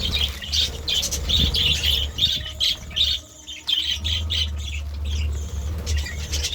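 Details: Budgerigar in the morning making a busy chatter of high, squawky chirps, repeated roughly two to three times a second, briefly pausing midway, over a low background hum.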